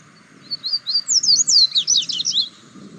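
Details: Double-collared seedeater singing loose in the wild, captured by mobile phone: a rapid two-second burst of around thirteen high, twisting whistled notes that swoop up and down, over soft low background noise.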